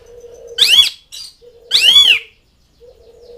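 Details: Asian pied starling calling to its mates and rivals, two loud arched rasping squawks with a whistled centre, about a second apart, over a steady low droning hum.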